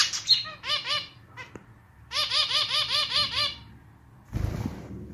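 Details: Male pet zebra finch performing his clarinet-like song, slightly out of tune: rows of nasal, arched harmonic notes in rapid rhythmic series, two main bursts, ending in a broad noisy rustle.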